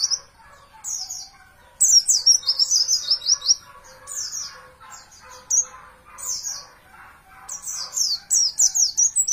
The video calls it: masteran pleci juara